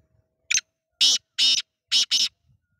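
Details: Black francolin, or kala teetar, giving its call: a brief scratchy opening note, then two long rasping bursts and a closer-spaced final pair, five harsh grating notes in all, clear over near silence.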